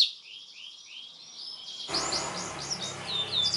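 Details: Canary song for training young birds: soft repeated rising chirps, then louder bright chirps and whistles over a sudden layer of background hiss and low rumble.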